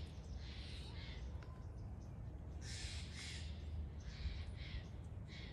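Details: Steller's jay calling in a series of fairly faint, grating bursts, about four spaced across several seconds, each scratchy and noisy, against a constant low-pitched background rumble.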